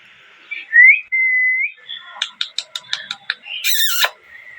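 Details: A parrot gives a rising whistle and a held whistled note. Then comes a quick series of about eight short clipped chirps, ending in a harsh squawk and a falling whistle.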